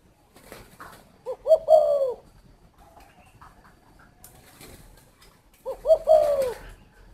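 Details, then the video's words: Two coo phrases from a spotted dove about four seconds apart, each a pair of brief notes leading into a long, mellow, downslurred hoot, with quiet in between. "chim cu thổ"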